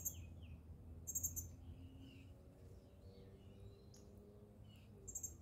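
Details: An Indigo bunting at Admiral Trost Park on 14 June 2023 sings thin, high buzzy note clusters and short slurred whistles, fairly faint over a steady low background rumble.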